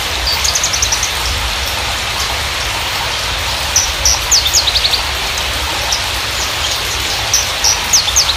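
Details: Parva Javan bushlark song used to coax new or silent birds into song. Rapid, high, sharp chirp series and short trills come in several bursts against a continuous rain-like background hiss.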